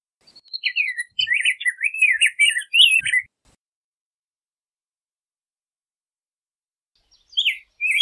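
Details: Rose-breasted grosbeak warbling a rapid phrase of rich, slurred whistles for about two seconds, then silence before a brief new phrase begins near the end.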